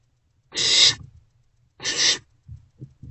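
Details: Young barn owls inside an owl box in the small hours of 27 March 2024, unusually sharing a vole meal; two rasping hissed screeches, each roughly half a second, followed by faint scratching and shuffling sounds.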